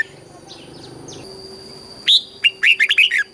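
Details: Red-whiskered bulbul, southern master-style phrasing used as a training and stimulation recording: after a quiet start with faint chirps, a rapid run of several bright, warbling whistled notes closes the segment.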